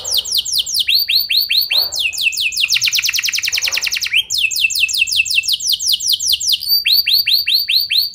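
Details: Lure song of a canary for drawing responses from other canaries: quick repeated descending whistles, then a fast buzzy trill and fresh runs of sweeping notes, tumbling without pause over eight seconds.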